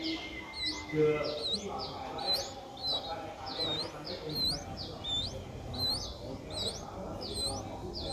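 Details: Nestling Streak-eared Bulbul, seven days old and just opening its eyes, Ubon Ratchathani, Thailand, April 2023, gives a steady stream of shrill rising squeaks, closely spaced and uneven, above faint low rumbling.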